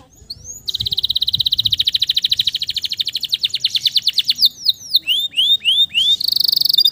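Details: Male canary singing to encourage stressed canaries to resume song: a long rapid trill that gradually slows, followed by upward swooping whistles and a closing harsh buzzy roll.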